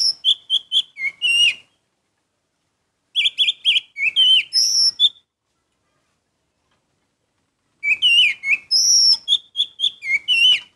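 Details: Orange-headed thrush in exciting, prolific song: three long bursts of fast, varied whistled notes, some clipped and some high and ringing, about a dozen notes per burst with quiet spells between.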